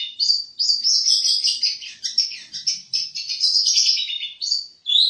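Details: Long-tailed shrike kept by songbird hobbyists giving an unbroken stream of sharp, buzzy, high chatter. After a short break it closes with a clear downslurred whistle.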